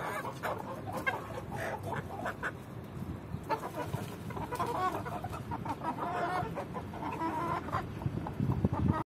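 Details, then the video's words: A Swedish Flower rooster courting a hen gives low, throaty clucks and murmurs in quick irregular bursts, over steady rustling background noise. "Swedish flower Rooster love hen"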